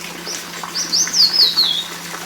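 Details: A male crested bunting calling amid foliage in the Himalayan foothills during the monsoon, giving one quick, thin, high phrase of sliding, slurred notes lasting about a second, over a faint steady low hum.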